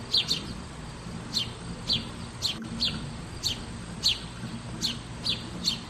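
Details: Singing sparrows give short bright chirps, often in quick pairs, repeated about every half second to second against a low background hum.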